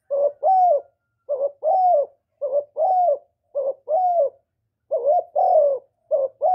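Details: Spotted dove calling and cooing, a recording meant to stimulate kept doves to call, made without background noise; paired phrases of a short coo then a longer, slightly falling coo, repeated about five times in quick succession.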